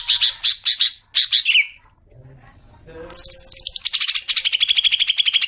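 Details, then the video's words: Green leafbird (cucak ijo) used as a lure for long ngekek chatter: quick buzzy pulsed phrases, a quiet gap, then a high descending rattle running into steady fast harsh pulses. "Pancingan suara cuca ijo agar cepat ngekek panjang"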